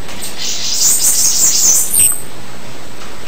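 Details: High-pitched, sibilant Bananaquit song, a jumbled stream of thin tinkling and buzzy notes lasting under two seconds, ending with a short upward squeak.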